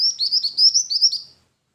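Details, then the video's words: Jingjing batu singing: a rapid run of high, sweet chirped notes in an even, slightly wavering series lasting just over a second, clear and unaccompanied. "suara burung jingjing batu"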